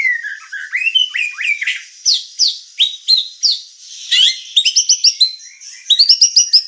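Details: White-rumped shama in energetic song: rising slurred whistles give way to sharp upswept notes spaced about every third of a second, then quick clusters of bright chipping phrases.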